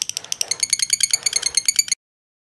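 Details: Show lovebird of the kantil type in Jogja sings a rapid ngekek trill, bright clipped high notes rattling evenly for two seconds before cutting to silence.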